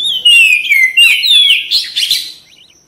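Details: White-rumped shama, a kept cage bird, giving a loud sweeping whistled phrase that falls and then rises into a burst of rapid harsh notes before fading.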